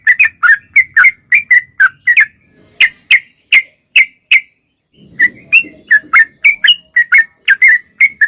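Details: Sooty-headed bulbul chattering without pause: dense runs of short whistled notes, a short gap around five seconds with a soft low rustle, then another lively burst of notes.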